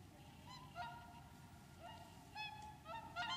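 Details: Several whooper swans on their wintering lake, Lac du Der, France, 30 January 2014, exchange quick nasal trumpeting notes, some sliding upward, growing busier and louder toward the end over a soft rumble.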